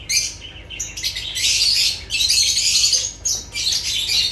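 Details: Loud lovebird chatter: piercing, hissy, high-pitched squeals and chirps in long overlapping bursts separated by short pauses.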